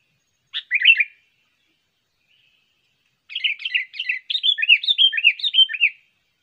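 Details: Sooty-headed bulbul, a trained lure bird, gives one short warbled phrase, then after a pause a long, excited, chattering run of rapidly repeated, rising and falling liquid notes lasting nearly three seconds.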